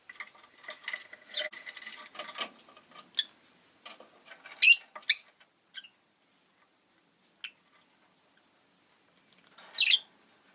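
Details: Rosy-faced lovebird (Agapornis roseicollis) opens with a few seconds of busy, squeaky chatter, then gives scattered shrill, harsh chirps at uneven intervals with quiet gaps, with street noise such as cars, motorbikes and bicycles.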